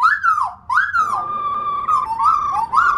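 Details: Pet female black-throated laughingthrush sings to encourage other birds. It gives a rising-falling whistle, then a long sustained whistled tone broken by small upward inflections.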